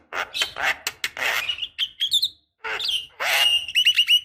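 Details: Asian pied starling, a female calling the male, used to provoke singing in a caged bird: loud harsh chattering bursts, then rising whistled notes and a rapid clicking rattle.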